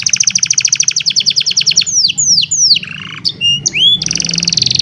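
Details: Old canary singing on a sunny morning, recorded on a cellphone: loud rapid trills of repeated high notes, then sweeping downward whistles, a lower buzzy stretch and clear rising notes, before fast trilling resumes.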